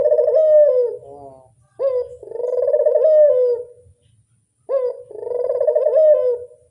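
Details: Barbary dove lure song: strong, rich coos, each starting with a brief upward note and rolling into a long, wavering hum lasting about two seconds. Three phrases come in under seven seconds against a clean, quiet background.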